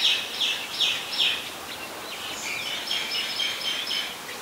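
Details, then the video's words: Oriental magpie-robin, a very common resident, singing in Ubon Ratchathani, Thailand, 17 November 2021: high clear whistled notes repeated about every 0.4 seconds at first, then varied warbling phrases, over steady background hiss. "นกกางเขนบ้าน Oriental Magpie Robin (singing)"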